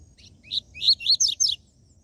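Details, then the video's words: Seedeater singing in the 'tui tui zel zel' style meant to excite captive birds: a soft high note, then four loud, rapid slurred whistles, each bending up then down, delivered in about one second. "Esquente seu COLEIRO e PAPACAPIM CANTO TUI TUI ZEL ZEL"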